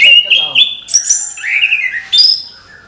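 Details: Orange-headed thrush, morning song: loud drawn-out whistled phrases, some steady and some swooping down then up, with brief sharp notes between.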